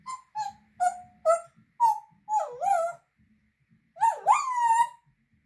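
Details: Pet African grey parrot talking: a series of short whining tonal syllables, then a longer wavering, swooping whine, over a faint low hum.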